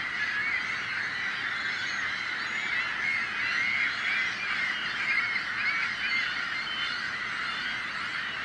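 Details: Seagulls producing a loud din to drive off predators; long continuous babble of many overlapping raucous calls, with occasional clearer squealing notes standing out.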